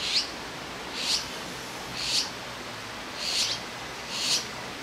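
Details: Begging azure-winged magpie fledglings on a branch in Jirisan, Korea, awaiting food from a parent; evenly spaced, short, hoarse hissing calls, about one per second, five in all, against a soft background hiss.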